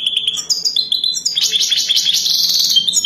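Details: Wild European goldfinch singing a Wadani-style song for mating, a steady rush of twittering, tinkling notes mixed with harsh buzzy trills, loud and continuous throughout.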